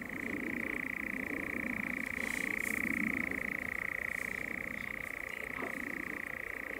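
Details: European nightjar churring during courtship at dusk: a long, continuous, steady mechanical purring trill held at one pitch throughout, with brief faint higher scratchy bursts near the middle and a quiet background.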